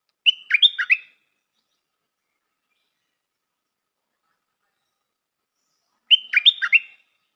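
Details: Decoy Stripe-throated bulbul repeating a short bubbly, warbled phrase twice, about six seconds apart, each a quick cluster of throaty up-and-down notes lasting under a second, with silence between.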